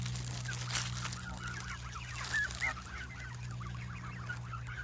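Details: A flock of Canada geese being fed nuts, with scattered rapid honks and a few clearer calls over a steady low hum and broadband rustle.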